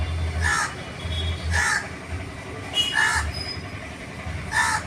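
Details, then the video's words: Four rough, nasal crow caws about every 1.2 seconds, mixed with a low rumbling hum and general outdoor noise. A person speaks in Bengali between the calls. "kak kak"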